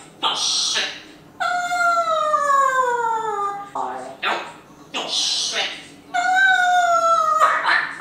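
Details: Pet grey parrot indoors in a room, vocalizing with people talking nearby: long drawn, harmonic, descending whine-like calls lasting about two seconds each, separated by short broadband squawks.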